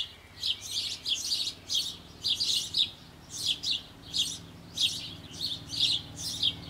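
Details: Sparrow young in a Bavarian nest box on an old apple tree, close to leaving the nest while the parents feed them, give loud, raspy, high chirps in short clustered bursts, roughly two each second, over a low background hum.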